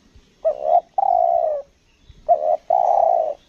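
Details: Decoy spotted dove from Lombok singing the 'selang nguku gagap' style, two phrases of a quavering short note followed by a longer even low coo, separated by a brief pause.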